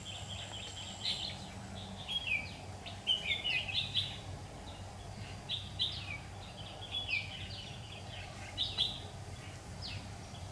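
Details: Red-whiskered bulbul used as a lure during trapping on 16 September 2019, singing competitively: short whistled, warbling phrases with rising and falling notes, repeated every second or two over a low steady hum.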